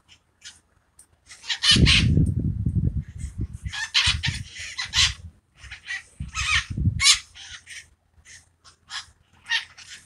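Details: Parakeets living in San Francisco's subtropical hills, calling and fluttering in a mating ritual: many short, harsh screeches in irregular bursts, with heavy low rustling and thumping noise in places.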